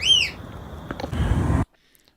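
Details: A pet rainbow lorikeet, during a March early-morning dawn chorus recording, gives one bright, clear excited whistle that rises then falls, followed by a click and rustling before silence.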